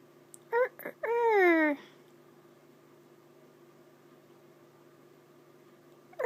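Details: A male pet Monk (Quaker) parakeet, asked to do his rooster, gives a short burst, then a long, harsh, falling crow-like call imitating a rooster, one of his favourite noises.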